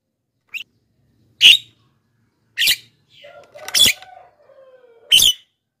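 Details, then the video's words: Javan myna played to attract wild mynas and get captive ones singing: sharp rasping squawks spaced about a second apart, with a faint low tonal whistle drawn out between them. "masteran JALAK KEBO super gacor,pancingan untuk bahan dan jalak yg malas bunyi"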